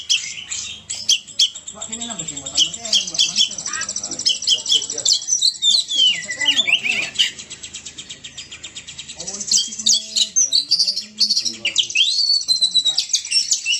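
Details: Kacer (Oriental magpie-robin) in full 'gacor' song: long, busy stream of sweet whistles, sliding notes and scratchy trills, rising and falling in pitch, with a low murmur underneath in places.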